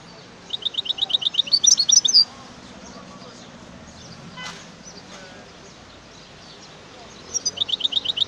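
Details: A European goldfinch sings two bouts of quick, bright, repeated notes, around a dozen per bout, tinkling and slightly buzzy, with a single sharp click in the quiet gap between them.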